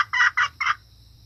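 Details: Red junglefowl hen, a call meant to attract cocks and other hens: three short harsh cackled notes in quick succession, the last slightly apart, then quiet.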